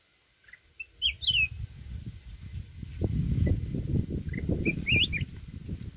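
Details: Mountain red-whiskered bulbul singing the wild 'forest voice' song meant to rouse decoy birds. A rich warbled phrase with a looping whistle opens, then a second chirpy phrase follows after a pause, over a steady low rumble.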